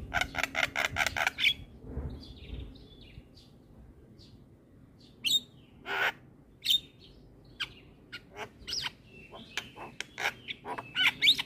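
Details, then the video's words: Chattering song of a Javan myna, a training recording meant to rouse other mynas: a fast burst of rasping notes, then scattered sharp clicks, chips and short whistles with pauses between. "Ocehan Jalak Kebo Gacor"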